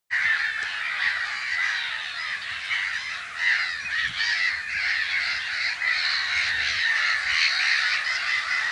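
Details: Black-headed gulls at nests in spring, mid-March 2012, recorded from a hide in Brenne, Berry, France; a dense, unbroken chorus of harsh, overlapping calls from many birds, with no pause across the clip.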